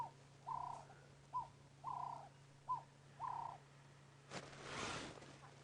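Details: Cape turtle dove calling from a tree near resting lions at Djuma Game Reserve, morning of 19 September 2016: soft, mid-pitched cooing phrases repeated in a steady rhythm, followed by a brief rustle and a low vehicle hum.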